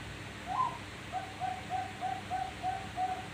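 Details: Zebra dove, a five-month-old bird, sings a brief higher rolling note followed by a steady series of seven short, soft, low coos spaced about a third of a second apart, over faint background hiss.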